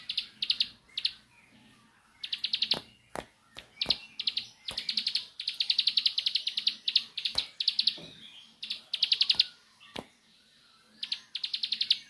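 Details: A bar-winged prinia gives its 'nembak' song, a string of rapid high-pitched pulsed bursts, some long and some clipped, nearly continuous across twelve seconds, punctuated by loud sharp ticks.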